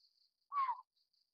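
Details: Juvenile Collared Scops Owl of the Taiwan-endemic subspecies Otus lettia glabripes, a lowland broadleaf-forest owl: one short, clear, downward-sliding note with a fainter higher overtone, over a faint steady insect buzz.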